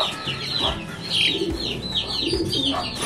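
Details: Farm hens with chicks: a dense layer of high, thin peeping arcs rises and falls almost without pause, over lower clucking sounds and a steady background hum.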